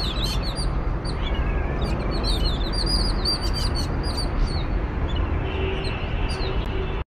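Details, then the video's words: Group of jungle babblers mobbing a cat, keeping up a harsh, squeaky chatter of rapid overlapping scolding notes over a steady low rumble of wind. "Music courtesy- Jungle Babblers"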